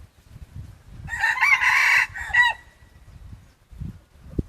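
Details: Decoy red junglefowl cock used to provoke rivals into fierceness. It gives a single loud, harsh crow of about a second and a half, broken in the middle and ending in a drawn-out falling note, with low thumps and rustling around it.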